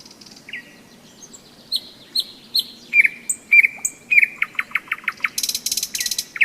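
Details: A nightingale's May trill along the Seversky Donets during a hike's rest stop: slow separate whistles speed into rapid pulsed notes, ending in a loud buzzy rattle and a final chip.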